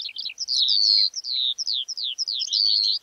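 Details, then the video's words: Skylark pouring out fast, high twittering phrases: short chirps run into longer drawn-out slurred whistles that sweep downward, the notes packed tightly with no real gaps over three seconds. "Skylark call"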